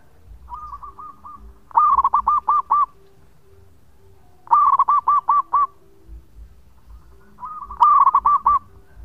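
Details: Zebra dove of local stock singing long phrases as a lure: three repeated songs roughly every three seconds, each a soft lead-in of coos followed by a loud rolling run of about six looped notes.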